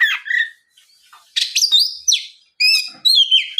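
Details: Oriental magpie-robin lure song meant to set other magpie-robins singing. Short burst of clear whistled notes, a harsh buzzy phrase, then bright high slurred whistles in quick succession.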